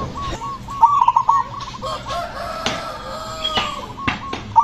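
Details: Perkutut, the zebra dove, singing in ngepat rhythm to provoke others: one strong burst of quick, bubbling coos stands out, while softer dove phrases answer behind amid scattered knocks and clicks.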